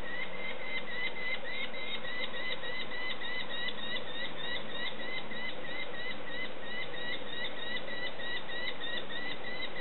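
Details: Hungry sparrowhawk young being fed call nonstop, a fast rhythmic stream of short high chirps, several per second, lasting the whole ten seconds above a low muffled background.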